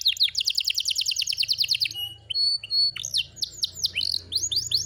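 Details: Canary kept at home sings a rapid trill, then a few pure steady whistled tones, then a run of swept notes, over a low background hum.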